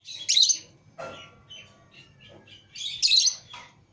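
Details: Pet lovebirds, a green Fischer's pair and a lutino pair, let out of the cage together: harsh high chirps in two loud bursts about two and a half seconds apart, with softer scattered chips between them.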